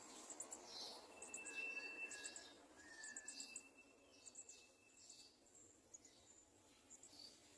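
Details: Olive-backed (garden) sunbird chicks being fed at the nest: thin, high chirps in rapid, uneven bursts, about three per second, with a few long, steady whistled tones in the background.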